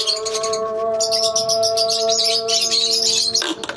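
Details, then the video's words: Dense, high twittering from a lovebird colony, fast overlapping chirps for several seconds over a steady humming tone. "Love bird colony"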